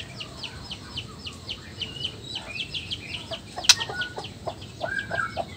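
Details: Male white-rumped shama of the Nias black-tailed type, whose song is meant to provoke other males into singing. Faint, rapid downslurred notes with quick chips, plus one sharp click amid background hiss.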